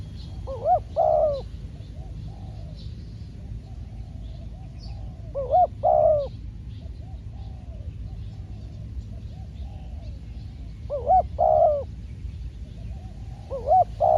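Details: Spotted dove, a trained decoy bird taken out for trapping wild doves, calling: short bursts of low, hoarse, bending coos in a quick two- or three-note pattern, repeated roughly every five seconds over a steady low rumble.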